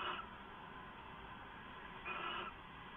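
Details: Owls on a live nest camera at night, 2 September 2014 just before midnight; two short breathy, hissing bursts about two seconds apart over a steady indoor hum.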